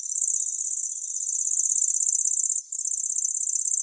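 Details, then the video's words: Locustella grasshopper warbler reeling: a steady, very high, dry buzzing trill sustained almost throughout, broken by one short gap near the end. "Сверчок. Голоса птиц"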